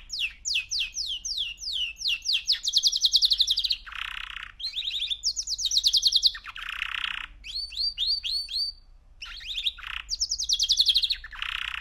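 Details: Three-month-old male canary in sustained song: bursts of rapid trilled phrases alternating with noisy buzzy rolls and rising whistled notes, repeated with brief pauses.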